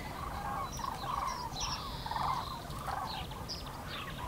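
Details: In-flight calling of common cranes over the Eifel, Germany, on 6 March 2018: a continuous chorus of rolling, trumpet-like calls from many birds, rising and falling in loudness.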